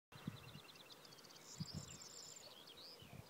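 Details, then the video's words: Corn bunting singing at Svatý Mikuláš, Kutná Hora district, on 17 April 2016: a run of quick high ticking notes speeding up into a dry, jangling high flourish, over faint rural background noise and low thumps. "Strnad luční (Miliaria calandra)"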